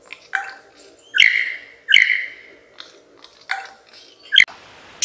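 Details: Mimicking lyrebird gives a run of loud, clipped, ringing notes with hard click onsets, two close together near the start and more after brief pauses. Faint chirps and a steady low background hum sit beneath them.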